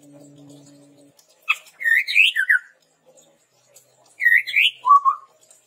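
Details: Red-rumped tepus song as a lure and tutor for training birds: a faint low hum at first, then two upslurred whistled phrases, the second ending in a lower warble.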